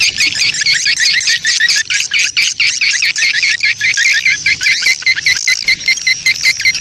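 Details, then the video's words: Swiftlets in a breeding-colony ('koloni birahi') lure recording meant to draw swiftlets in; fast, steady series of sharp high chirps stacked in layers, close to a hundred per minute, forming unbroken twittering. "SP KOLONI BIRAHI... suara responya mantab memikat burung walet"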